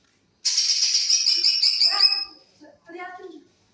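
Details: Green leafbird (cucak ijo) giving a tembakan isian song burst: a loud, rapid, buzzy high trill held for nearly two seconds, then fading into a few shorter, lower, harmonic notes.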